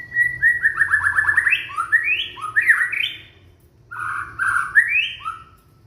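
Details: Young white-rumped shama singing in Indonesia, suited to triggering song in silent shamas: a fast stuttering run of clipped notes stepping downward, then loud rising whistled slurs, a short pause, and further warbled upswept phrases.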